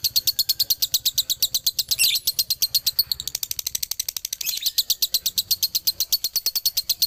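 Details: Rapid dobelan song of a male Galendo lovebird, Ciamis: shrill chirps pulse quickly and steadily, broken by a couple of brief, harsher squealing notes before the fast ticking resumes.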